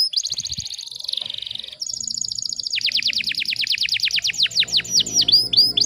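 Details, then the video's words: Canary tutor song with tight, rapid delivery: a buzzy sustained trill, then a long series of fast descending sweeps ending in sharp hooked notes; faint low background noise. "MASTERAN KENARI FULL TEMBAKAN RAPAT"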